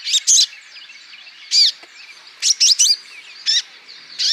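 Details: Olive-backed sunbird song, used as a lure to stimulate other sunbirds to sing: sharp, high, bright chips and short twittering phrases in bursts, separated by quiet gaps, over faint background hiss.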